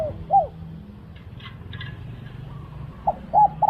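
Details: Cooing from a spotted dove in a decoy-luring setting: one soft arched coo, a quiet gap with faint rustling, then three quick coos close together.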